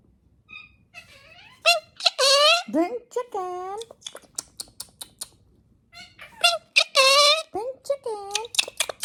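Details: Talkative male pet galah snuggling with its owner and whispering, producing speech-like bursts of chattering syllables, some rising and falling, in two dense phrases separated by a short quiet gap indoors.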